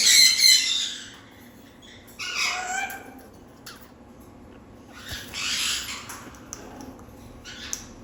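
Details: Scratchy squawking from a parrot: a loud harsh note opens, then a downward-sliding rasp around two seconds in, and a softer grating burst later amid quiet background.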